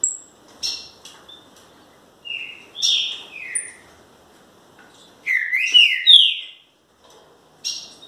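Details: Green-winged Saltator singing: scattered sharp, high clipped notes, then a rich burst of slurred whistles sliding down and up through mid-high pitches, with brief pauses between phrases.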